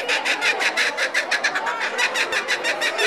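A kookaburra's raucous laugh of harsh, chuckling notes, about five a second, rising and falling in loud waves.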